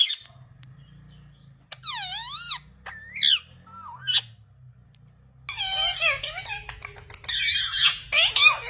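A rose-ringed parakeet gives harsh, wavering squawks and warbling chatter in irregular bursts, with high screeches near the end, in a small indoor room.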